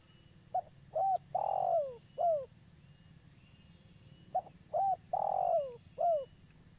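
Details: Lively local spotted dove, used to lure wild doves into traps, repeats its four-part coo twice, with short opening notes, a long drawn coo falling in pitch and a hooked closing note, over a quiet background with faint whistles.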